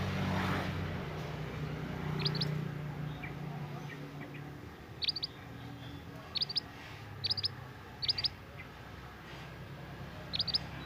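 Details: Scarlet minivet, a young forest bird singing actively, gives high, sharp paired whistles repeated every second or so after a quieter start, with low rumbling background noise.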